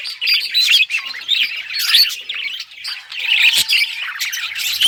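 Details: Happy budgie warble, a loud, continuous jumble of chirps, squeaks and short whistled glides, with a few sharp clicks and a faint steady tone in the latter half.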